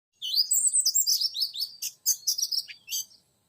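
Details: Oriental magpie-robin song used to lure a young wild male: a quick run of clear, high, varied whistles that slur up and down, with a brief pause, then sharper chirped notes and a final whistled phrase.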